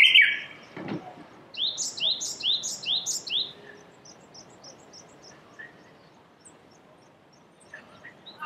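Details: Japanese bush warbler in spring, March 2019, Saitama Prefecture, Japan, amid cherry blossoms: a run of five high, sharply descending slurred notes in quick succession after a brief bright opening note, followed by scattered faint chirps.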